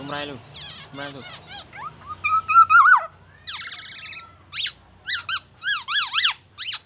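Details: Black-naped oriole singing a mimicked medley of oriental magpie-robin phrases and ambulance siren: low harmonic notes, a long wavering whistle, then a run of sharp up-and-down whistled chevrons, with a faint low hum underneath.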